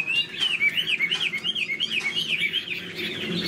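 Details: Tail-fanning caged Chinese hwamei repeats swinging, wavering whistles about twice per second in a rhythmic, up-and-down series, finishing in a softer, blurred trill.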